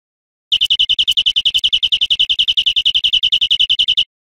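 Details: European greenfinch song on an educational recording for cage birds: a steady, fast series of bright, high chirps, about eight per second, running for three and a half seconds, with a few sharp clicks near the start.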